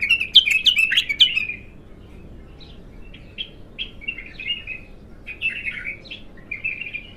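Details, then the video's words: Abtar bulbul, untrained, first time singing: a loud, rapid, jumbled warble at the start, then a string of separate short whistled phrases, each rising and falling, spaced about half a second apart. "تغريد الابتر خام اول فتحـه له ماشاء الله اسمع الساناته"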